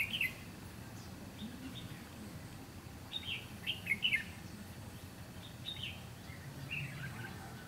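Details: Red-whiskered bulbul used as a decoy to trap wild birds, recorded 7 June 2016 during a trapping session; short warbled chirping phrases in scattered bursts, a cluster near the middle, with low background rumble and brief human talk.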